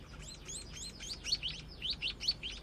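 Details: Juvenile scaly-breasted munia learning its song: a fast run of high, thin, slurred chirps, arched at first, then sharper upswept notes repeated several times per second, with low steady hiss behind.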